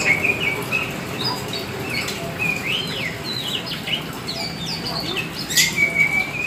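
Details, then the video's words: Kacer hitam, the black Oriental magpie-robin kept as a hobby bird, singing energetically: sweet whistles, sharp upslurred and downslurred notes and quick chattering bits in a continuous, varied stream, with a constant low hum beneath. "Burung Kacer Hitam Gacor"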